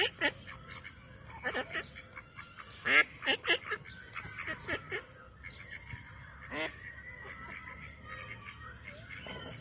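A female Mallard gives harsh, nasal quacks, with a run of four loud calls near the middle. Faint whistled notes from other birds are heard in the background.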